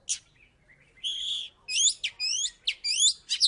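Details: Oriental magpie-robin from Salatiga, former third-place champion, gives loud clear song: a sharp note, a sustained whistle, then fast looping, sweeping whistled phrases.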